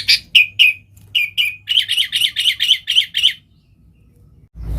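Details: Sooty-headed bulbul calling to attract wild bulbuls: a few separated bright chirps, then a quick regular series of about eight rolling notes, followed by quiet and a soft thump at the end.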